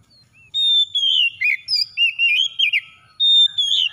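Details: Kacer, the Oriental magpie-robin, in lure song for a hard-to-start bird. A bright sustained whistle dips into a string of looping slurred notes, then a fresh clear whistle begins near the end.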